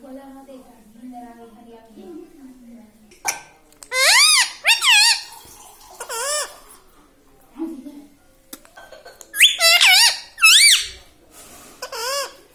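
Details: Pet talking parrot kept at home, said to say mummy, papa and radhe radhe. A low human voice speaks first, then the bird gives bright, arched, harmonic utterances in two bursts, each of several bent syllables separated by short pauses.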